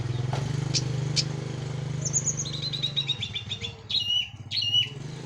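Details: Orange-headed thrush from Cililin, moult completed, singing a clear teler song: a run of quick repeated chirps followed by paired sharp whistled notes, over a loud rumbling engine-like drone and background noise.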